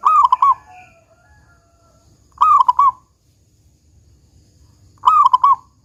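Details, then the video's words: Three loud stuttering coo phrases, about two and a half seconds apart, from a local zebra dove singing in the 'kung besar' style, meant to lure other doves into song. A faint higher note follows the first phrase. "Perkutut Lokal GACOR Suara Kung Besar Pancingan Burung Perkutut Agar Bunyi"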